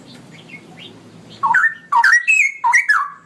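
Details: Straw-headed bulbul, or cucak rowo, giving a long 'ropelan' style song: faint chirps, then loud, rich warbled phrases of quick slurred whistles sweeping up and down, in rapid bursts about half a second long.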